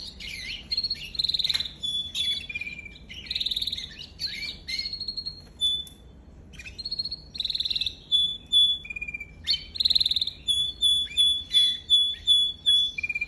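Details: Song training from a canary: varied tours of rapid rattling trills and chopped high notes, some sliding down, interspersed with steady runs of sharp repeated chips, phrases breaking off and restarting; a low steady hum stays in the background.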